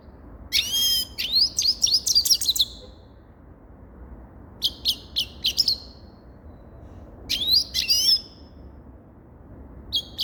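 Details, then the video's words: Grey-crowned goldfinch repeating short bursts of lively twittering and trilled notes, with quiet gaps of a second or two between phrases. "Sava Sayrashi Седоголовый Щегол Голоса Птиц"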